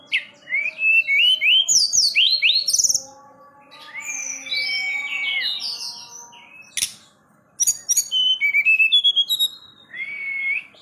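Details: A captive forktail (tledekan gunung) in full song, calling to challenge rivals, gives loud, clear whistles, some rising and some sliding, in quick bursts with short pauses over a faint low hum.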